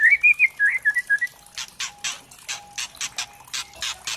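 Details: Murai trotol (white-rumped shama) lure song intended to stir singing: a fluid warbled whistled phrase, followed by a series of harsh, spaced crackling notes about three per second.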